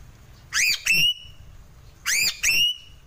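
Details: A Sulawesi crow (gagak sule) delivers two pairs of sharp upslurred whistled notes about one and a half seconds apart, loud and clean over a low rumbling background.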